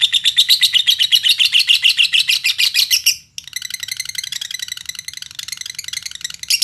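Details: Lovebird singing as a lure to provoke other lovebirds into song, Indonesian songbird hobby: a fast series of sharp, high chirps for about three seconds, a brief break, then a denser, quicker chattering trill.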